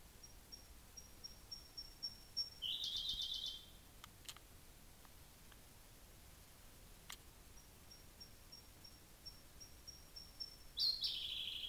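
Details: Siberian blue robin singing at Hocchi, Minami-Karuizawa, Japan, on a June afternoon at 3 pm: thin high ticking introductory notes followed by a fast rattling trill around 2.5 s, then another soft tick series and a second trill near the end.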